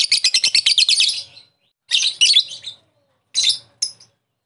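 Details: Lovebird lure call meant to make another lovebird ngekek: a quick burst of harsh ticking notes, then two shorter buzzy phrases and a brief final chirp.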